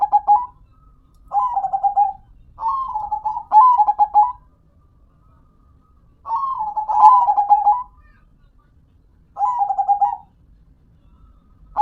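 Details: Zebra dove, known locally as perkutut, singing a series of mid-pitched cooing phrases, some run together, with stuttering pulsed notes and trailing slurred coos, separated by brief quiet gaps.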